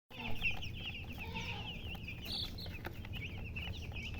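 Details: Chickens, described as a hen (murgi) with coloured chicks: dense, quick, high-pitched chirps run throughout, with a brief lower, harmonic cluck-like call near the middle over a constant low rumbling background.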